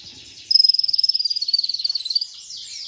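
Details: Olive-backed sunbird (kolibri ninja), recorded as masteran lure material: a single sustained, very high, rapid rattling trill of around twenty pulses lasting nearly two seconds, gently dipping in pitch, over a faint background hiss.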